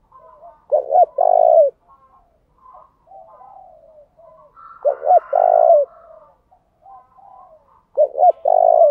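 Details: Luring call of a decoy spotted dove, meant to provoke others into answering. Three loud phrases of a clipped double note and sustained low coo, with quieter overlapping coos from other doves filling the gaps.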